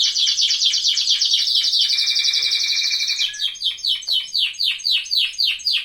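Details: Canaries singing in an aviary during the breeding season: a fast rolling trill of rapid repeated notes shifting in pitch, then a run of separate descending chirps about two per second.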